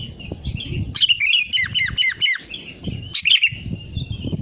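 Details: Sooty-headed bulbul used as a lure for other birds to sing, giving a fast series of descending whistled slurs followed by a brighter chirpy phrase, over a low background rumble.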